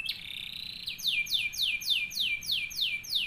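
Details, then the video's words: Model song of a canary for training other canaries: a held, steady whistled note of about a second, then a rolling series of quick descending sweeps repeated roughly four times a second, loud and clear. "CANARY SINGING 11 | LAGU TERBAIK KENARI BISA BUAT MASTERAN / PANCINGA"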